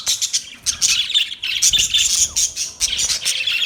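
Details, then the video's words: Parakeet chatter, continuous and high-pitched, with scratchy warbled notes and short squawks packed closely together, pausing briefly twice. "Birds Parakeet Sounds Parrot Chirping Sounds"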